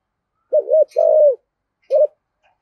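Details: Spotted dove voicing the thổ style, used to encourage wild-caught doves to answer: a wavering double coo and long, steady falling note, then a brief extra coo, with soft faint chirps in the background.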